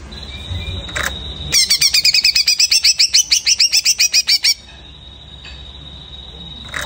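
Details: Greater green leafbird after its moult pours out a three-second string of quick, bright chattering notes, about four a second, framed by a steady high thin tone before and after.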